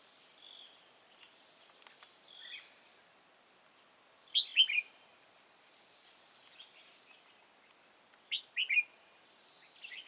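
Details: Red-whiskered bulbul used as a decoy for trapping in Hòa Bình, Vietnam: two short bursts of bright, warbled notes a few seconds apart, with faint chirps earlier and a steady high electronic whine throughout.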